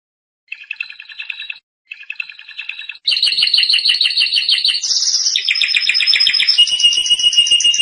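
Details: Training song of a canary for young birds: two short soft trilled bursts, then loud continuous song of rapid rolling trills that shift pitch step by step, with a piercing high whistle section.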